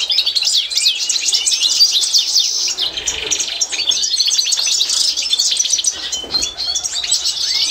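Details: European goldfinch of the Constantine type singing in a 2024 training recording: a lively stream of high chirps, rising slurred whistles and scratchy trills, with a short buzzy passage midway before the tinkling twitter resumes.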